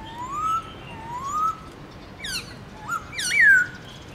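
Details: Caged black-throated laughingthrush singing in the morning in a varied, forest-style song: slow, clear whistles rising to a held note, repeated twice, then sharper downslurred and upswept whistled phrases ending in a loud falling whistle.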